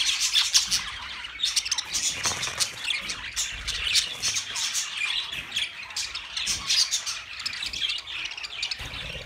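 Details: A chattering flock of budgerigars: constant overlapping high warbles and harsh squawk notes, loud and crowded, with slight swells every few seconds.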